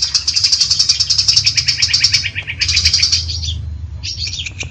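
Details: Long-tailed shrike in energetic song for bird training: a rapid high rattle drops into slightly lower chattering notes, breaks off briefly, then resumes with quick squeaky phrases over a low hum.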